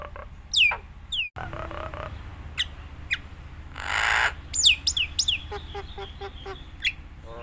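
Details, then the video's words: Nias hill myna singing lively with a full varied repertoire, recorded for prompting and training other mynas: sharp falling whistles, a harsh broadband rasp near the middle, then a run of quick clipped notes and further downslurred whistles. "suara burung jalak Nias gacor full isian paling handal untuk pancingan masteran semua jenis jalak"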